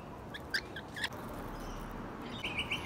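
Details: Friendly wild rainbow lorikeets visiting a balcony give a few short, shrill chirps, then a quick burst of high, scratchy notes, over a low background rumble.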